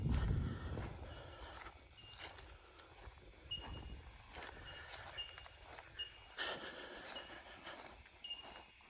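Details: Bell Miners (bellbirds) on a rural property give clear, ringing 'tink' notes, single pure pips every second or so, over footsteps, rustling and a low outdoor rumble during a walk.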